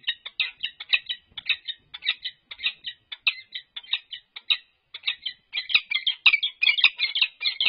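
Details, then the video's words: Pair of resident peregrine falcons at UC Berkeley during a courtship display on March 21, 2022, caught on a livestream camera: rapid, harsh chipping notes in uneven bursts, many per second, rising into denser chattering toward the end. "Courtship Display"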